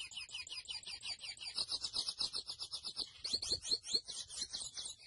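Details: Singing grey seedeater, locally mochuelo: an even series of quick high chirps merges into a buzzy trill, then shifts to a few louder, sharply descending slurred notes.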